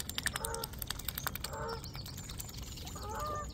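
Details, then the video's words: Geese honk in the background as a swan feeds on seeds; three spaced bouts of rich, harmonic honks, separated by clicking and pecking noises, with faint small-bird chirps. "geese honk in the background"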